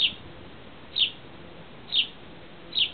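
A sparrow gives short, bright chirps, one about every second, four in all, over a soft steady background hiss.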